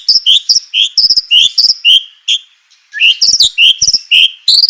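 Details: White-rumped shama song used as a lure to provoke other shamas into singing: rapid bursts of high chirps and short rising whistles, repeated phrases separated by a brief pause near the middle, with no other sounds.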